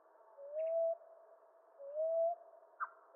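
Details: Two soft rising coos of a common ground dove, eastern North America, about 1.4 seconds apart, followed by a brief sharp chirp from another bird near the end.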